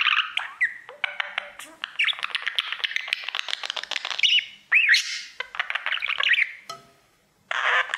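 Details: Pet male budgerigar singing toward his mirror: a sustained, rapid ticking chatter mixed with squeaks and slurred whistles, then a short quiet spell and one last scratchy burst.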